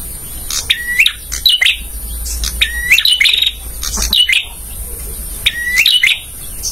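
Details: Song of a male bar-winged prinia, meant for training caged birds: clear upslurred whistles followed by scratchy ticking bursts, repeated about every one and a half seconds in a steady rhythm.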